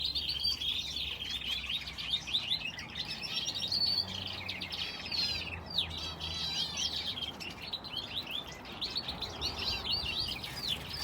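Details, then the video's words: Finches sharing an aviary with a canary, several birds chirping and twittering at once in a dense, high overlapping chorus of quick warbled and trilled phrases, with a faint low hum beneath. "Aviary with finches and canary"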